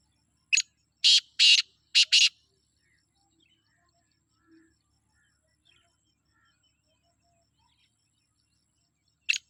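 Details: Sindhi black francolin from jungle giving its harsh phrase: one brief note, then four grating buzzy notes paired, followed by long quiet with faint distant chirps and a single harsh note near the end.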